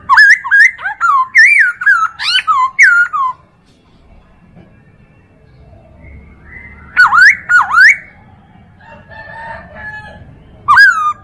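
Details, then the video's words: Chinese hwamei song used as a tutor recording for training other birds: loud, rapid bursts of slurred whistled notes that dip and rise, delivered in quick runs, with a pause of several seconds between runs. "MASTERAN POKSAY HONGKONG"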